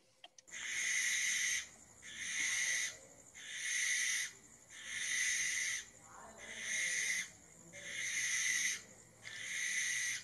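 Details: A barn owl (Tyto alba) gives long, harsh, hissing shrieks, each about a second long, repeated roughly every one and a half seconds, with a faint voice in the background.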